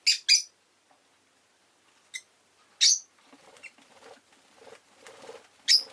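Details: Rosy-faced lovebird chirps: two quick sharp high notes, a few isolated chirps, then faint scratching rustles and a final loud chirp.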